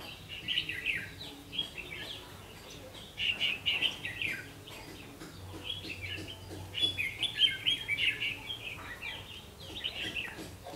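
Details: Red-whiskered bulbul lure bird at a trap at 5 pm on 3 September 2016, giving lively warbled bursts in clusters every couple of seconds over faint background hum.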